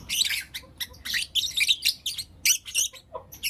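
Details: Morning chirping of blue opaline and lutino opaline lovebirds, continuous shrill, grating chirps in quick bunches, with a faint lower squeak near the end.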